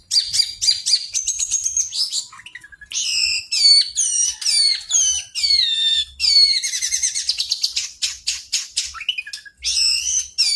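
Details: Long-tailed shrike in full song, a lure recording meant to set other birds singing: a varied, near-continuous medley of sharp high whistles, descending slurs and harsh chatter, delivered in quick phrases with only brief gaps.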